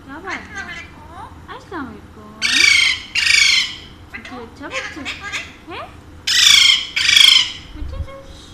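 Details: A man speaks in short phrases, then pet Alexandrine parakeets, a pair said to talk in Urdu and Hindi, break in with four loud grating squawks in two pairs.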